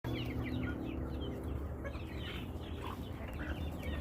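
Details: A domestic chicken flock: faint, short downward-sliding peeps scattered through the clip over a steady low hum.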